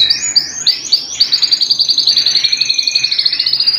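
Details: Canary singing at home: rising swoops repeated several times lead into a quick, pulsing trill of sharp high notes, steady in pitch and rhythm to the end.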